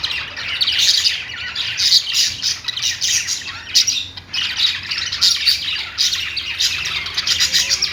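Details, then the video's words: Singing budgerigars: bursts of scratchy, high chatter and squawks broken by short quieter gaps, the warbling restarting every second or so. "Singing budgie | budgies sounds"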